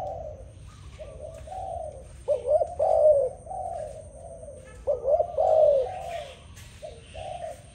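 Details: A dove sings low, throaty coos, with two emphatic phrases that jump up then glide down, separated by quieter steady cooing.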